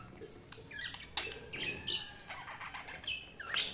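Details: Tame cockatiel kept as a pet chirping softly: short bright upswept notes spaced about every half second over a hissy background.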